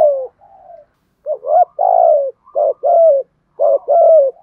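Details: Spotted dove cooing in 'thổ thúc gù' style, used to stimulate other doves: a dense series of husky low coos, short clipped notes alternating with longer wavering ones, nearly continuous.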